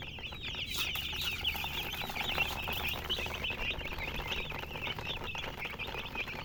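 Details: Baby chicks peeping in a continuous high chatter, many small chirps blending into a dense band, with faint background noise.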